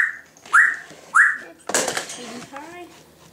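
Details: Pet Timneh African grey parrot indoors imitating household noises: two bright rising whistles about half a second apart, then a burst of harsh broadband noise and a lower, wavering, voice-like sound.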